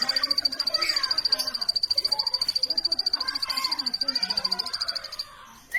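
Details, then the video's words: Plain prinia giving a long run of quick, evenly spaced high ticks on one note, ending abruptly, followed by a brief higher chip, with muffled background chatter throughout. "plain prinia bird chirping"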